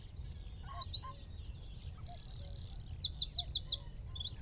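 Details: Singing from a tree at Wicken Fen about 15 m away, a wren pours out rapid high notes, a steady rattling trill, then a row of falling slurred notes; a few lower chirps early on.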